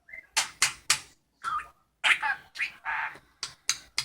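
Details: A pet talking budgerigar chatters in quick, raspy, word-like bursts, mimicking human speech, including a "cherp, cherp" it has learned.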